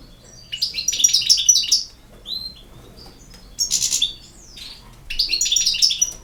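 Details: European goldfinch singing: three bursts of bright, tinkling twitter, each about a second long, separated by short pauses, with a thin slurred note between them; quiet background.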